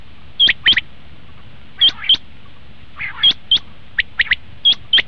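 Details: Common quail call used as a hunting lure: crisp high two-note phrases repeated about every one and a half seconds, once broken by a short three-note run and a faint buzzy sound.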